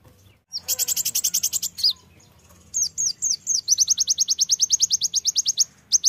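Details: Oriental white-eye (pleci) song in lively bursts of high, sharp chirps. A fast rattling series, then a few down-slurred whistles, then a long steady train of quick, bright notes repeated about three times per second, with light background hum.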